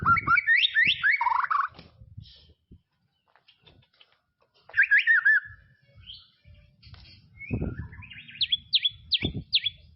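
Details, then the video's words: White-rumped shama from tropical forest singing loud whistled phrases that rise and fall between quick fluttering notes, then a pause and a second burst of slurred whistles, ending in sharp repeated bright notes with low thumps beneath. "BEST SUARA KICAUAN MURAI BATU HUTAN TROPIS"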